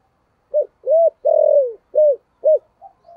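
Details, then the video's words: Spotted dove cooing with a 'thổ' voice to lure wild birds home. A single steady phrase: a short coo, an arched note, a long sliding falling coo, two short rounded coos, then soft trailing notes. "Tiếng chim cu gáy giọng thổ gáy gọi bổi nhanh về cội"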